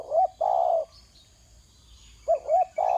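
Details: Low cooing of a spotted dove on the ground: a short wavering coo runs into a sustained mellow hoot. The phrase repeats about two seconds later in a calm, quiet setting.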